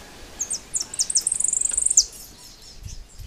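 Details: European goldfinch song: very high, thin twittering notes in quick succession, then a rapid run of clipped, evenly spaced chips. It ends with a single sharp note, and a faint low rumble sits underneath.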